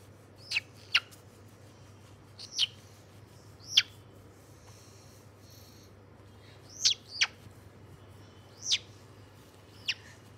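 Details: Shrill, piercing chirps from a white-bellied caique, recorded 27 August 2022, coming in pairs and small clusters with a quiet gap midway, over a faint low drone.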